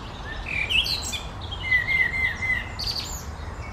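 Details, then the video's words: Common blackbird singing on the morning of 1 June 2020, closing a garden recording. Short warbled notes lead into a long, level whistled note, then thin high twittering, over a low steady background rumble. "kos żegna śpiewem"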